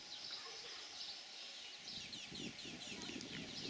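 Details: House sparrows mating on a farm at Wuppertal-Beyenburg, Germany, on 20 June 2021 chirp in a fast, overlapping chatter of short, bright notes; a few low clucking sounds, likely from farm fowl, come in near the end.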